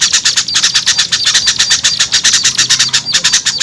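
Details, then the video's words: Small birds in a lure recording meant to draw small birds down: a dense, rapid stream of high, sharp chips and twittering notes, several per second and overlapping throughout, with a faint low hum underneath. "SUARA PIKAT AMPUH UNTUK BURUNG KECIL SUSAH TURUN"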